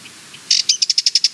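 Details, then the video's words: Sardinian warbler call: a quick burst of sharp, ticking rattle notes, about nine in under a second, crisp and high, after two faint quiet notes. "Sardinian Warbler - Calls"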